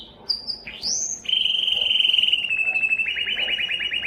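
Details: A yellow canary opens with a few upslurred whistles, then holds a long fast rolling trill that gradually lowers and breaks into distinct rapid pulses.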